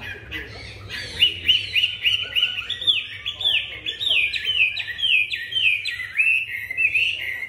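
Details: Chinese hwamei singing a rich, continuous run of loud whistled phrases, many slurred notes sliding up and down, delivered rapidly with little pause; faint low background hum.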